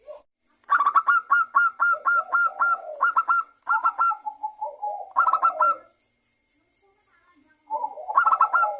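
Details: Zebra dove song used as a lure recording to prompt local and Bangkok-type zebra doves to sing: a rapid run of staccato, ringing coo notes with lower gurgling phrases, repeated in bursts, then a short pause before another burst begins.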